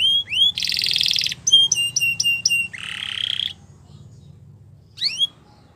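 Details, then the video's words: Belgian canary delivers a burst of song: a high buzzy rattle, sharp repeated chip notes, then a lower rolling trill lasting about a second, followed by near silence with faint background hum and a final brief whistled flourish. "Belgian Canary Singing"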